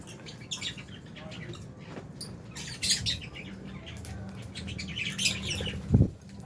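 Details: Aviary lovebirds, albino and Fisher's, chatter in rapid high chirps and shrill squeaks, with a noticeable low rumble and a short thud near the end.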